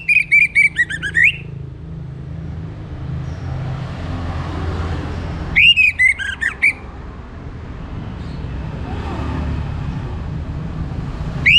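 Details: Orange-headed thrush singing in the morning, played as a lure to set other birds singing: two bursts of loud whistled, looping phrases with sharp upslurs, separated by several seconds of low rumbling background noise.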